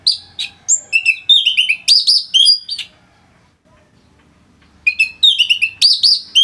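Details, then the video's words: Orange-headed thrush, a kept bird from northern Bali whose full song serves to train other songbirds, delivering fast varied phrases of loud falling whistles and sharp high notes, pausing about two seconds before resuming. "ANIS MERAH Gacor Suara Rapet Bagus Untuk Memaster Burung Punglor"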